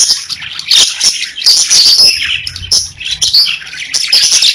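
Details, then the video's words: Pet budgerigars sing in a short burst of high, twittering warble mixed with buzzy chirps and a few clear whistled notes. "30 Minutes of Budgies Parakeets Singing, Chirping | Budgie Noises"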